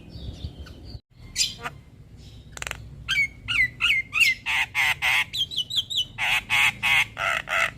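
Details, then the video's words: Black-winged myna song used as a lure to restart a stressed, silent bird: scattered squawks, then a regular series of downslurred whistles and loud harsh notes, about three per second. "Terapi Burung Jalak Stres Macet Bunyi Rutin Putarkan Suara Pancingan Jalak Kebo"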